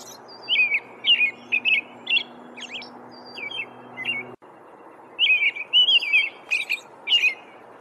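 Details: In the wild, an American robin delivers a run of rich whistled caroling phrases, each a few slurred notes, with thin high squeaky notes between them. There is a brief break midway before singing resumes.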